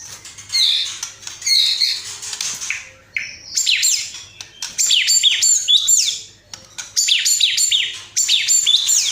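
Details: Singing White-rumped shama, its song packed with copied sparrow, fighting-lovebird and kapas tembak phrases. Bursts of very high, sharp, sweeping notes in quick chattering series, separated by brief pauses, with softer scratchy notes at the start.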